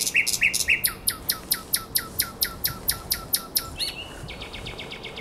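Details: Nightingale singing by the Żerański Canal during the night of 23–24 April 2022; a fast series of sharp, dry clicking strokes, roughly four per second, then a brief whistle followed by softer repeated ticks.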